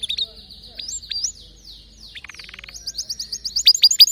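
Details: Canary song: a few clear whistled notes with upward flicks, a pause, then a soft buzzy rattle that builds into quick, bright repeated chirps growing louder toward the end.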